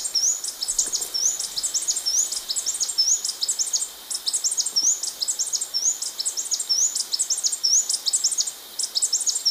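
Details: Blue-backed conebill singing a continuous series of very high, sharp chipping notes mixed with brief rising whistles, phrases recurring every second or so over low environmental noise.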